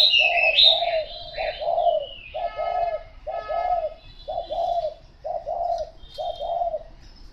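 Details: Spotted dove cooing: a steady run of low, mellow two- and three-note coo phrases repeated about once a second, with high twittering chirps from other small birds at the start.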